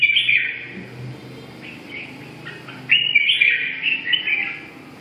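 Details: Red-whiskered bulbul song: bright, fluty warbled phrases, a longer run opening the recording, softer notes in the middle, then a loud jumbled burst after three seconds; low steady hum underneath.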